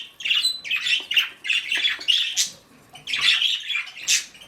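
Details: Momma budgerigar guarding her nest: steady run of raspy, buzzy squawks repeated about twice a second, broken by one short pause before the harsh chatter resumes.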